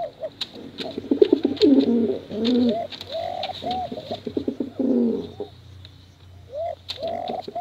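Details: Pigeons coo in bekuran competition style, male and female. Gurgling rolls alternate with short hooting coos, over scattered clicks and a low background hum.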